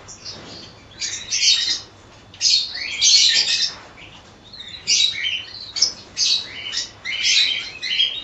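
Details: Cockatiels in a colony, many birds calling together: harsh, screechy chirps and squawks in overlapping bursts, with short pauses between clusters of calls.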